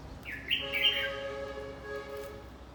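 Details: Red-whiskered bulbul being trained for fighting gives a quick upslurred chirp followed by a rich, rolling warble lasting nearly a second. Steady tonal humming lines continue underneath afterward.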